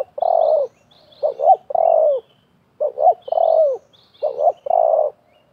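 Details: Spotted doves calling against each other, a wild bird facing a decoy at a trapping spot: four loud phrases of a long falling coo alternating with paired short notes, steady and close, in quiet surroundings.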